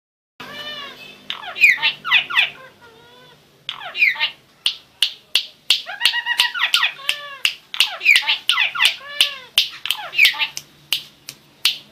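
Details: Starling singing a varied, rambling song: harmonic squeals with stacked overtones, buzzy rattles and downward whistles, broken by a fast series of sharp dry clicks repeated roughly every half second through the second half.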